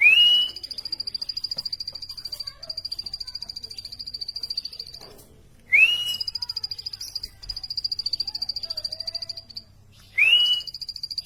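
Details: Plain prinia singing runs of rapid high pulsed notes, each run opened by a loud rising whistled slur, recurring about every four to five seconds with short silent gaps.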